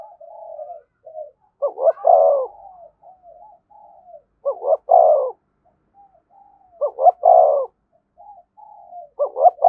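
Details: Soft murmured notes run between bold phrases of 'thúc gù' cooing from a spotted dove beside a decoy. Each phrase has quick double coos and a long, warm coo, coming about every two to three seconds.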